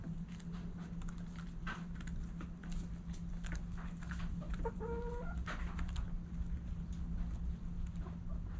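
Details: Backyard hens and roosters at sunrise. Low muffled clucking runs throughout, and a brief burst of stacked, tonal, harmonic notes comes near the middle, all over a constant low droning hum.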